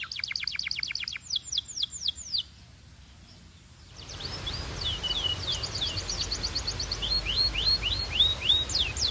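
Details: Belgian canary song opening with quick descending whistled sweeps and a short trill, then a pause and steady background hiss as fainter repeated rising-falling notes continue.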